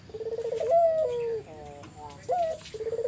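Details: Spotted dove used as a lure to make other doves answer: a low, rolling, pulsed coo followed by a drawn-out falling note, then a short rising note and another rolling coo, with a faint steady hiss behind.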